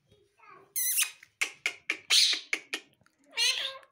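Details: Caged rose-ringed parakeet talking: a run of clipped, speech-like syllables in a high, nasal, strained voice, several quick bursts separated by short gaps, ending in a longer drawn-out utterance.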